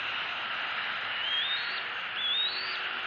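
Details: Two thin, high, upward-sliding squeals about a second apart from a young eagle begging its mother for fish in southwest Florida, April 2018, faint against a broad steady hiss.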